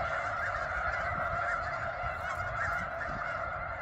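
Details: A vast snow goose flock at McNary National Wildlife Refuge in Washington, honking all at once in a steady, dense chorus, with some sharper single calls standing out.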